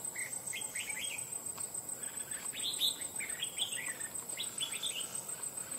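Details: Wild-trapped red-whiskered bulbul in a cage, noted for a loud bell-like voice, sings a run of quick warbled whistles, some rising and some falling, with a continuous high hiss in the background.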